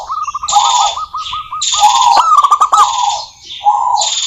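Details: Local wild zebra dove song meant to coax caged doves into singing: a fast rolling chain of short coo notes, then longer warbled phrases mixed with high chirping from other birds and clicks.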